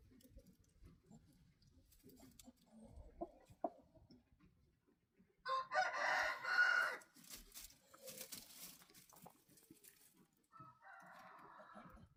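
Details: Rooster crowing: a loud, harsh crow of about a second and a half, then a shorter fainter crow near the end, with low background rustling and soft clucking between.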